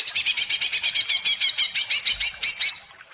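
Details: Greater green leafbird, provoked by a lure recording into agitated, continuous singing: rapid repeated bright notes, about three per second, high and slightly warbled, fading out near the end.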